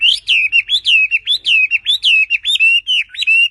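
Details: Song of the Chinese hwamei, native to China: a steady, energetic stream of loud, ringing, slurred whistles, close to two each second, each note bending sharply in pitch.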